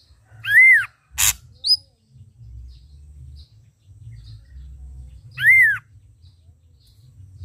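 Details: Vigorously singing red-eyed Ashy drongo: a loud arched whistle, a sharp click, and a short high note, then the same rising-and-falling whistle repeated about five seconds later. Otherwise quiet.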